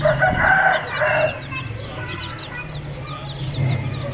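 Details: Aseel chicks keep up high, thin, downslurred peeps repeated rapidly, with a louder low harmonic clucking call over the first second and a steady low hum beneath.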